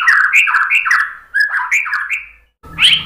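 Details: Singing white-rumped shama meant to prompt other birds to answer: rhythmic looping whistled phrases alternating low and higher notes, a brief pause, then a harsh burst with a noisy background.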